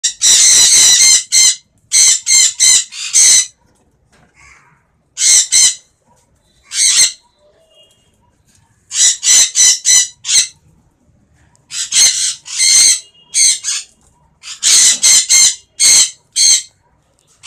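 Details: A baby sun conure gives loud, harsh, high-pitched screeching calls in rapid bursts.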